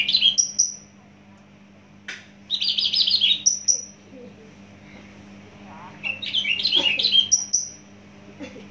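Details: Loud, rapid song of a native Javan bush lark: short dense bursts of scratchy high twitters, each followed by a thin rising whistle, separated by pauses, with a faint click and steady low hum.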